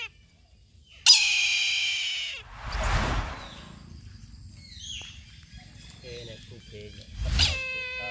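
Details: A single loud, harsh, drawn-out mewing cry of a Brahminy kite, ending with a downward slur. It is followed by a gust of noise and faint, scattered chirps.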